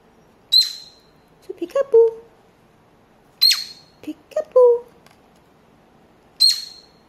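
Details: A cockatiel gives three sharp, high, falling chirps about three seconds apart while playing peek-a-boo, with its head poked into a paper tube, as a person softly repeats "peek-a-boo" between them.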